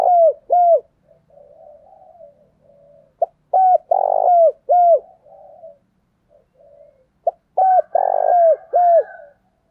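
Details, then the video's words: Vietnamese decoy spotted dove giving an intense, driving coo meant to excite wild doves nearby. Loud mellow coos come in paired and clustered runs, broken by soft, rolling murmurs. "Chim Cu Mồi Gáy thúc căng lửa, anh em mở nên bổi và mồi gáy theo cả ngày"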